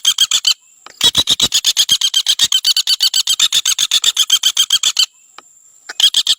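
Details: Common flameback (Dinopium javanense), recorded as a master song for training birds, gives a long, harsh, dry rattle of rapid notes, about ten per second for several seconds, with a thin high whistle in the pauses.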